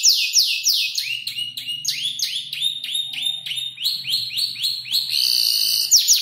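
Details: Canary around five months old, learning its song from other birds, sings a busy run of sweeping high notes and short trills over a low background hum.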